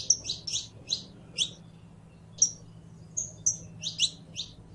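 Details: Saffron finch song of quick paired chirps at the start, a pause, then whistled notes and further sharp chirps, all high and clipped, with faint low hum.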